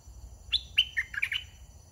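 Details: Red-whiskered bulbul, a caged decoy bird used for trapping wild birds, sings a short, loud phrase of quick whistled and chirping notes, rising and falling, over low background rumble.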